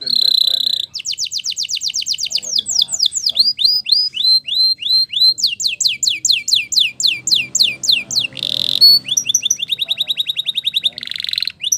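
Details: Spanish Timbrado canary in training song, with a long varied sequence of high chirping tours. Repeated upward-flicking notes come several per second, with a brief harsh buzz near the end before trills resume.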